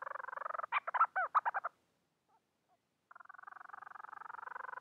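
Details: Calling for a mate, a Bermuda petrel gives a rapid pulsed purr, then a burst of loud stuttering, arched notes, a quiet gap, and a softer renewed pulsed purring.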